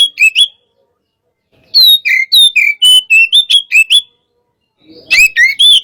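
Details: Hot-type oriental magpie-robin singing as a training recording for other birds: clear whistled phrases of slurred and sliding notes, grouped into short bursts separated by silences of about a second.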